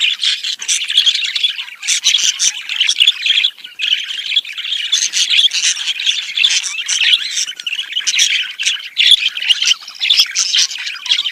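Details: Budgies' mating chatter meant to encourage breeding: continuous busy warble of scratchy squawks, clicks and shrill chirps, with several birds seemingly calling together and no pause across the stretch.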